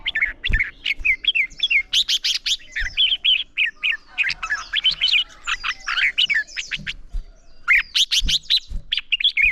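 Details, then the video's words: Red-whiskered bulbul morning contest singing used to rouse caught birds: a busy run of fast fluty, slurred notes in near-continuous phrases, with brief gaps and light clicks. "Chào Mào Hót Đấu - Kích Chào Mào Hót Sáng Luyện Giọng Bổi Hót Đấu Căng Lửa"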